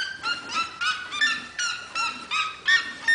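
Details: A red-legged seriema in a house's corral gives a fast run of loud, ringing yelps, about eight in three seconds, each a sharp rising-then-falling bark.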